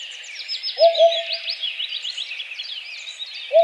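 Soft, low hollow hoots from a Eurasian Hoopoe, a quick pair of 'oop' notes followed by another after a pause, over a busy chorus of high twittering birds.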